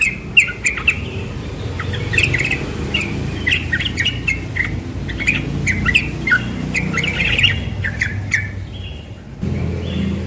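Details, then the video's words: Young yellow-vented bulbul singing in the morning in ropel style, fast bursts of short bubbly notes with sharp clicks, repeated through the clip over a steady low rumble of background noise, which grows louder near the end. "Trucukan muda ropel pagi"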